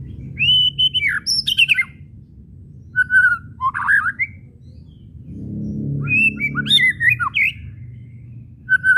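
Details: White-rumped shama whistles and chattering kretekan used to provoke other shamas to sing; clear whistled phrases, sweeping notes and rapid chatters come in bursts separated by pauses, over a low steady hum.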